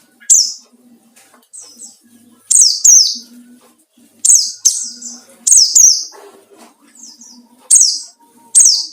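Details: Provocative white-eye song meant to draw out rivals: piercing downward-sweeping chirps repeated at uneven intervals, about twenty a minute, often doubled, over a quiet low hum.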